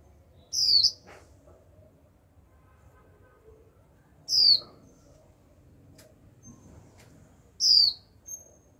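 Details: A young female white-eye in captivity repeats her 'chíu' call to get wild-caught birds singing: three high, down-slurred whistles spaced roughly every three and a half seconds, with faint clicks and soft chirps in between.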